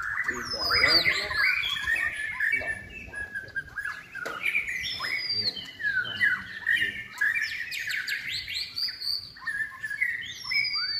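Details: White-rumped shama, caged and trained for singing contests, in its third season, giving a long continuous song of quick varied chirps, slurred whistles and rattling notes with hardly any pauses.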